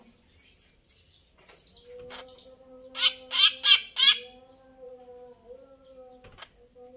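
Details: Greater green leafbird, said to be singing vigorously: a few scattered high chirps, then four loud harsh rasping notes about a third of a second apart, over a steady low electrical hum.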